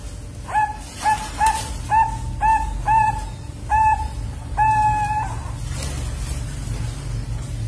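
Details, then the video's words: Young zebra dove, a Bangkok-type chick two months old kept at a bird farm, practising its voice: seven steady mid-pitched tonal notes with hooked starts, the last one drawn out, then quiet background hum. "PERKUTUT BANGKOK PIYIKAN 2 BULAN BELAJAR BUNYI"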